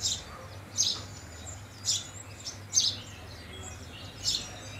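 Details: Loud, clipped house sparrow chirps roughly every second, often doubled, standing out above a quiet low hum.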